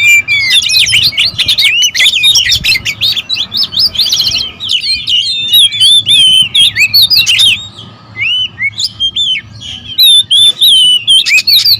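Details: Agitated oriental magpie-robins guarding territory, a noisy group singing together: rapid high whistled phrases and slurred chirps pour out continuously, rising and falling, easing briefly around eight seconds before loud bursts resume.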